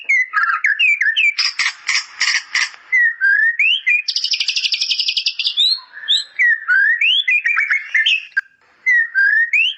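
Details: White-rumped shama (murai batu) singing with a bar-winged prinia (ciblek) fill: loud varied whistles and upslurs, rapid chattering bursts and a sustained buzzy trill, continuous and energetic.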